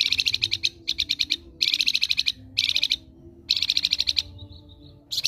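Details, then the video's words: Ngerok-style flamboyan song recorded as a master for tutoring other birds: rapid rattling bursts of shrill, evenly spaced notes, each burst about half a second to a second long, separated by short silences. "MASTERAN FLAMBOYAN NGEROK"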